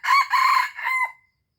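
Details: Crow of an Aceh red junglefowl, heard from its loud harsh middle onward: two strong rasping bursts, then a softer falling final note that fades into a thin lingering tone.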